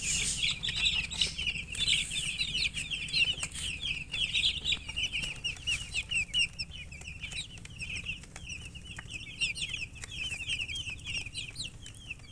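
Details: Crowd of newborn chicken chicks chirping loudly and continuously, dense high descending peeps streaming without break, busiest at the start and thinning slightly later.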